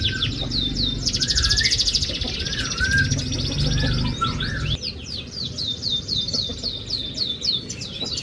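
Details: Song of a canary meant to trigger a quiet canary to sing: dense high twittering, buzzy rolls and rapid repeated swooping notes, over low background music.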